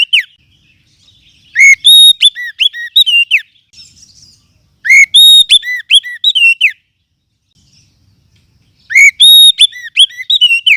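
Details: Wild forest oriental magpie-robin (kacer hutan) in a lure recording for tutoring other birds: three loud bursts of rich whistled phrases with rising and falling slurs, separated by about two seconds of silence.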